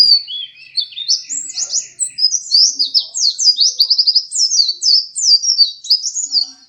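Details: Vigorously singing pleci dakun white-eye, a second-place champion: an unbroken, fast warble of high, sharply sliding chirps, starting with a few lower notes and building into dense twittering.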